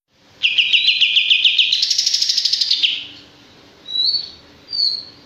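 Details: Male olive-winged bulbul singing a rapid run of bright, bubbling notes that rise midway, about two and a half seconds long, followed by two short separate whistled phrases.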